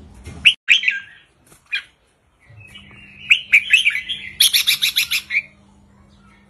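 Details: Caged red-whiskered bulbul, brief easy song in the 3-4-5 counting style played to excite birds; a few isolated chirps, then a warbled phrase ending in a fast rattling series of about eight bright notes.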